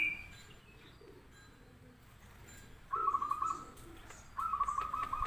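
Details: Zebra dove, local or crossbred bird, singing a lure song meant to draw answers from other doves: two quick stuttering bursts of clipped coos, each under a second, with a hissy background between them.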